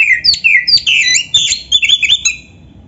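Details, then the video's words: White-rumped shama pouring out quick whistled phrases, looping slurs and sharp notes in a dense, fast-paced song fragment. "MASTERAN KACER GACOR FULL ISIAN"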